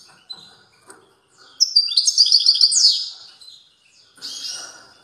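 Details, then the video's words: European goldfinch giving a strong song: one loud burst of rapid tinkling, twittering notes with buzzy trills, roughly one and a half seconds long, then a quieter twitter after a pause. "تغريد قوي لطائر الموقنين"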